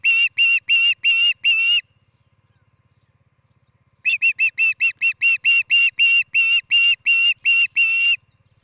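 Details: Osprey calling at its nest in Charlo, Montana, July 11, 2018: five piercing whistled notes, a gap of about two seconds, then a longer, evenly spaced string of about fifteen bright cheeps over a low background hum.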